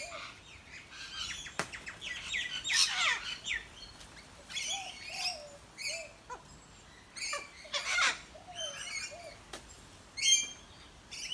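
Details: Rainbow lorikeets visiting an Australian backyard chatter as they eat: a steady mix of scratchy squawks, sharp chips and brief screeches from a group of birds, with low whistled notes and clicks scattered throughout.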